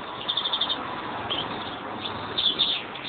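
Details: A pair of European greenfinches kept by their owner, singing: a short quick twittering trill, a pause with a single note, then another rapid trilled phrase, over constant background hiss.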